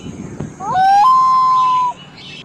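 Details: Hungry common loon chick being fed fish by its parents, giving a clear, steady whistled note that rises slightly and then holds level for about a second, over faint background noise.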